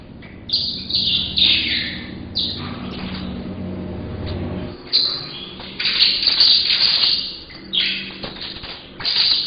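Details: Young caged saffron finch, eight months old and now fully yellow, already giving a few notes: bursts of high, scratchy warbling phrases separated by pauses, with a low background hum.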